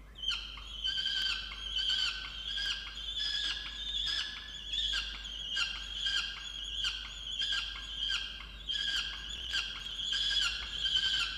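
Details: Peregrine falcon inside its nest box on a water tower in Orange, New South Wales, Australia, November 2022, angry that its mate brought no breakfast; steady series of harsh, ringing notes repeated over and over at a brisk pace.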